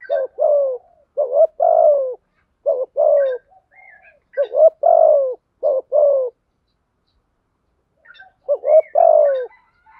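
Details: Spotted dove calls, male and female, used for training and luring birds: low cooing phrases, each a short hiccuping double note followed by a long falling coo, about six phrases in quick bursts with a pause before the last; faint high chirps behind.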